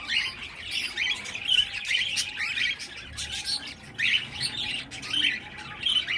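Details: Baby cockatiel (Nymphicus hollandicus) gives raspy, scratchy chirps in near-constant bursts, with louder surges roughly every one to two seconds.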